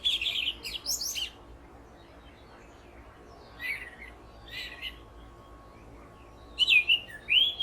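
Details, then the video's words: A perched orange-headed thrush gives long runs of loud, varied whistled phrases in short bursts with pauses, mixed with mimicked calls of other birds, as if conversing but actually calling to itself, over a quiet background. "Bird calls - Orange Headed Thrush"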